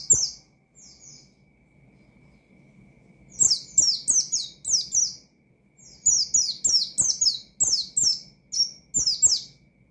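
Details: Oriental white-eye's challenging ngalas song, intended to excite untrained rivals. A brief opening phrase and a quiet stretch give way to long, dense runs of sharp, high, down-sweeping whistles.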